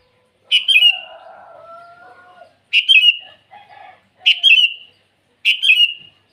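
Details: Morning song of a lively sooty-headed bulbul calling out to rivals: four quick, bright, bubbly whistled bursts spaced over six seconds, with a drawn-out lower tonal call from another bird early on and soft low notes between.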